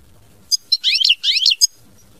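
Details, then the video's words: European goldfinch song in the style known as mama binette: bright, buzzy twittering phrases high in pitch, a short burst of rapid trills and liquid notes lasting about a second, with quiet gaps before and after. "Chant Chardonneret mama binette"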